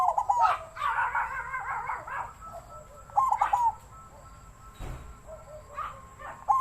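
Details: Captive-bred zebra dove with a wild-type voice, giving stuttered cooing phrases mixed with busier chattering notes. A quieter stretch follows, broken by a single low thump.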